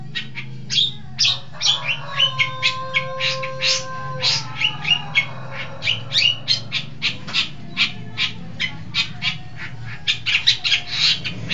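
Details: East Javan long-tailed shrike in lively song: a fast stream of dry clicks and scratchy chatter, with a few drawn-out plain whistled tones early on and a faint low background hum.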